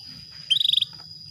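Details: ['One quick rattling trill of about eight fast pulses from a female canary calling a male to trigger breeding, heard over a steady high electronic whine.']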